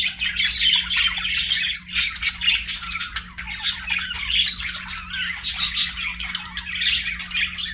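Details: Continuous budgie chatter from a group of pets: harsh squawky warbles mixed with sharp bright chirps, steady in loudness throughout, over a low constant hum.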